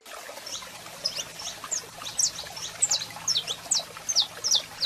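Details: Saffron finch, a male singing while a female calls, used to fire up birds: scattered high, sharp chips and short downslurred notes, irregular and fairly quiet over a faint low hum.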